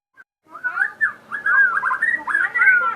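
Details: Crossbred captive shama pouring out a continuous, varied warble of rich, looping whistles and quick slurred phrases.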